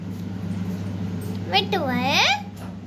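An Indian ringneck parakeet speaks a brief, voice-like phrase that swoops up and down in pitch, over a steady low indoor hum.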